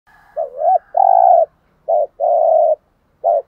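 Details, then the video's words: Spotted dove used as a decoy bird, cooing in a repeated pattern: a short rising double note followed by a longer steady low coo, phrases spaced about a second apart, clean background. "chim cu mồi thúc gù bài bản nhất hiện nay"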